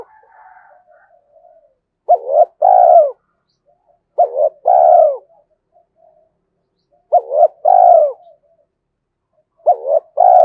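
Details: Spotted dove used as a decoy to lure wild doves, calling in four evenly spaced phrases of two quick notes and a rolling coo, opening with a faint murmuring sound.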